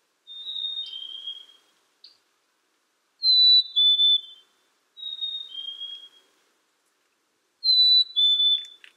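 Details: Clear whistled song from a Black-capped chickadee, each phrase a descending two-note pair. Phrases are separated by gaps of about a second, with a couple of faint clicks.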